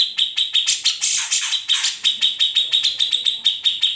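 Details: Grey-cheeked bulbul, local name kamandanu, singing in a natural unedited recording used to train magpie robins; rhythmic sharp high notes interrupted by a long harsh buzzy rattle mid-way, then steady chipping again.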